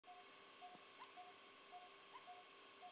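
Coppersmith barbet giving six hollow, metallic 'tuk' notes, steady at about two per second, over a faint high electrical whine.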